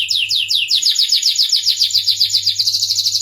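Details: Starblue canary song made of fast repeated down-sweeping whistled notes, a steady rolling trill that ends in a higher, tighter buzzing phrase; soft low hum in the background.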